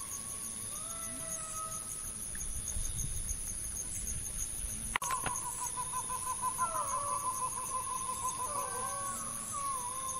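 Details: Green peafowl (Pavo muticus) giving drawn-out, mellow wailing notes that hold then bend downward, over constant high insect hiss and low rumble; males call ki-wao, females aow-aa, from roosts at dawn and dusk. Finding: Green peafowl.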